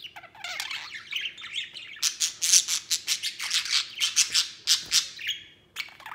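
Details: White male budgerigar playing outside its cage: soft warbling at first, then a steady run of loud, harsh squawky pulses, about three per second, before a brief pause and one last chirp.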